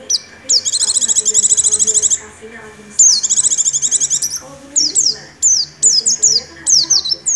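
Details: Energetic Oriental white-eye singing in 'nagen ngecrok' style with white-rumped shama mimicry: two long, fast rattling trills of about two seconds each, followed by a series of sharp, high, descending whistled notes.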